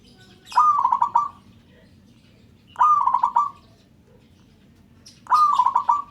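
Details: Local zebra dove calling so that other birds answer; three phrases about two seconds apart, each opening with a higher note and tumbling into a short run of rapid, rolling coos.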